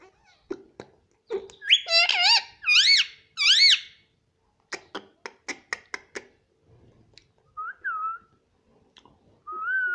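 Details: Talking pet Indian ringneck parrot repeating rapid harmonic syllables like "mummy" three times, followed by clicking sounds and a few softer whistled notes.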